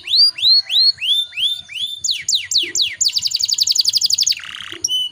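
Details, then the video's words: Long rolling canary song meant as a lure to spur other canaries into full song: rising whistled notes, then fast falling sweeps, a rapid buzzy trill, and a lower rattling burst. "PANCINGAN SUARA KENARI GACOR NGEROLL PANJANG"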